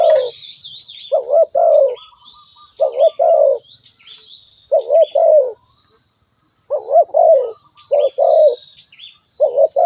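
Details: Spotted dove giving a run of about eight low, wavering coo phrases, some with a stuttering triple start before the longer note. Busy high chirping from other birds and a steady insect whine fill the background.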